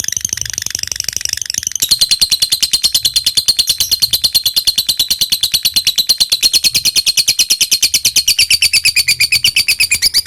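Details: Lovebird giving a long ngekek song: a very fast, continuous chatter of high, shrill notes that runs without a break, growing louder after the first two seconds and holding steady to the end.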